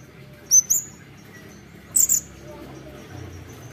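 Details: Olive-backed sunbird singing actively, producing two doubled bursts of piercing high, slightly downslurred chirps roughly one and a half seconds apart, then quiet with only a soft low hum.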